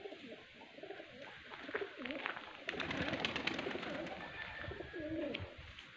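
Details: Pigeons cooing in soft, low, rounded phrases repeated at an uneven pace, with faint rustling, clicks and background noise around them.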